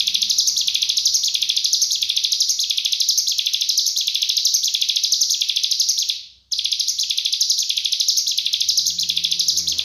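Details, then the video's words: Cigun singing in the dense 'full nembak rapat' style, a master recording for training magpie-robins and leafbirds. The high, shrill, buzzing trill runs nonstop with pulses about every second and a brief break near six seconds. Faint low hum beneath. "Masteran Full Nembak Rapat Burung CIGUN"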